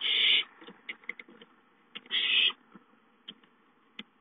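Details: ['Owlets at home begging for food, 5-9-13: two harsh, hissing screeches about two seconds apart, each followed by scattered clicks and tapping from the young birds moving about.']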